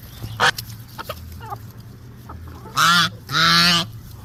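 A Muscovy duck gives two loud, harsh, honking calls, the second longer, after a few soft clicks and a brief human voice.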